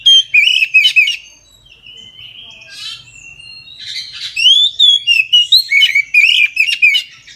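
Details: Oriental magpie-robin in full midday song, used to prompt others of its kind to sing: loud sharp whistled notes, a quieter buzzy warble in the middle, then a lively run of repeated clear whistles and chips.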